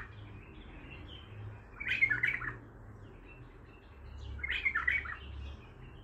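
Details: Untrained bulbul singing in the Baghdadi style: two short, warbled, chattering phrases about two and a half seconds apart. Each phrase is bright and mid-to-high pitched, over a low steady background hum.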